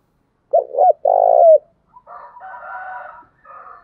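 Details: Decoy spotted dove calling to draw answering wild birds: a clipped two-part hoot, then a sustained burring coo; afterward a fainter, harsher, higher rolling voice continues in the background.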